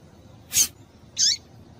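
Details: A female rusty-collared seedeater, whose call is meant to make males sing, gives two quick high notes: a sharp click-like chip, then a brief down-slurred whistle.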